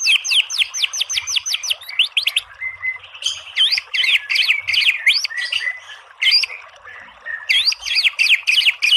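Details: Energetic white-rumped shama song used to provoke a response: chains of rapid sweeping whistles, a brief flat note, then dense mixed phrases of slurred and clipped notes.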